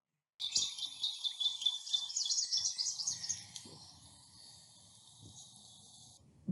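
An Indigo Bunting sings a bright, high three-second run of quick paired notes, falling slightly in pitch. A low hum and faint room noise sit underneath.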